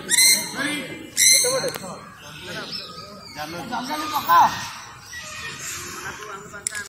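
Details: Pet sun conure during morning free flight: two loud, harsh, raspy screeches in quick succession near the start, then softer chatter as people talk over it.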